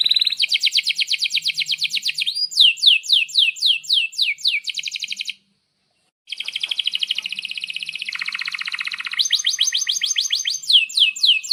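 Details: Long vigorous canary song for tutoring young canaries and those that stopped singing: rapid rolling trills, rows of sharp descending notes, a brief silence, then buzzy rolls and fast repeated sweeps.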